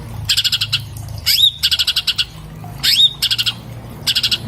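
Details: Orange-bellied leafbird song recorded on an iPhone 7+, meant for tutoring cage birds: bursts of fast high rattled notes alternating with rising whistled upslurs, repeated in short phrases about every second and a half.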